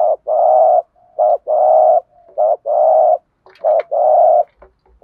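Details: Spotted dove giving an intense stimulating coo to draw out shy birds. Long, steady, hollow hums alternate quickly with short notes in a busy run, and faint clicks show near the end.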